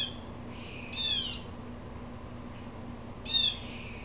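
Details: The upset blue jay lets out two harsh, scratchy jeers about two seconds apart, with a fainter buzz before the first. Steady low hum in the background.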